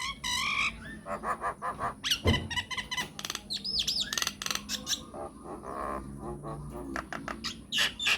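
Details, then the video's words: Myna lure song meant to make other mynas answer: loud varied chatter of squawks, clicks and upward-sweeping whistles, dense and continuous, with a steady high whine behind. "PANCINGAN / MASTERAN SAKTI UNTUK SEMUA JENIS JALAK, JALAK APA SAJA AKAN NYAUT | MYNAH BIRD"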